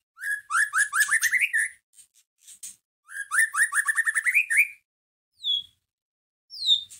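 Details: Lure recording of white-rumped shama song meant to provoke a caged bird into answering. Two bursts of rapid, rising whistled notes with sharp high chips, then single high downslurred whistles after pauses.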